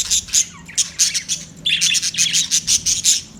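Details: Budgies keep up a dense stream of rapid, sharp high chirps and squeaky warbling notes, almost without a break, loud and close.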